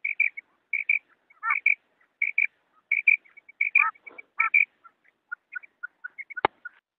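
A female quail gives short, high, clipped notes, often in quick pairs, with a few lower dropping notes between them. A sharp click sounds near the end.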